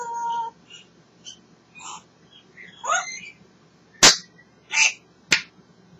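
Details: Pet African grey parrot talking away indoors and having a great time: a steady whistled tone, then a string of warbling, voice-like chirps and squawks, ending with three loud sharp clicks.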